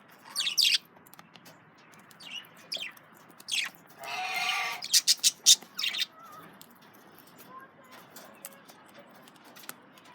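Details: Male budgerigars munch carrots amid sharp, high chirps, one long grating screech, and a rapid run of staccato tweets, then softer squeaks.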